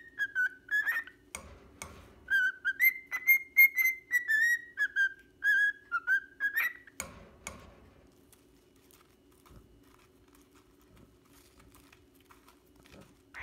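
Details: A six-month-old pied cockatiel whistles "If You're Happy and You Know It" in clear, slightly wavering notes, then falls quiet.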